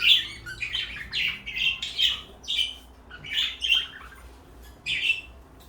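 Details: Two pet parakeets, one blue and one light yellow, kept indoors, give a busy stream of bright chirps and short squawky warbles in quick bursts, high-pitched and overlapping, with a quiet room background.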